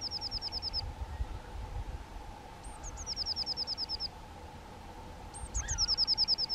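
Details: Two young White-tailed eagles; three bursts of quick, high yelping notes, each a rapid run of about ten, over a steady low hum.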